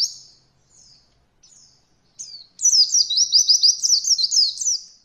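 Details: Beginner training recording of an Oriental white-eye in roll voll style: a few thin descending call notes, then a sustained fast roll of repeated sharp chirps lasting over two seconds.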